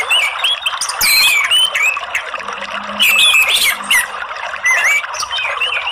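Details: Orange-headed thrush therapy sound for a bird that seldom sings, only chirping ('ngeriwik'): bursts of squeaky high notes, sharp upslurred whistles and chatter, played to coax it into full song.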